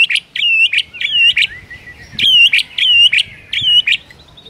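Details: White-rumped shama singing energetically in the morning, rich fill-in song: loud looping whistled phrases with clicks, repeated about every half second, bright and ringing.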